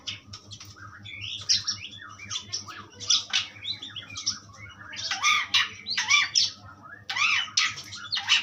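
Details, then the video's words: Harsh, squawking phrases from an Asian pied starling, offered as a strong tutor recording: looping downslurred notes building into loud raspy bursts repeated about once a second toward the end, over a low hum. "jalak suren pastol ampuh"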